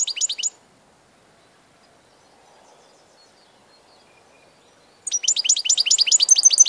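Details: European goldfinch, recorded 16 March 2014, singing fast high twittering phrases; a brief burst, several seconds of silence, then a dense run of repeated sharp tinkling notes.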